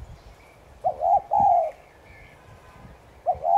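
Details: Spotted dove 'thúc gù' coo used to rouse other doves into calling. One full soft three-note phrase ending in a long sliding coo, then the start of another. Faint rustling and thumps sound in the background.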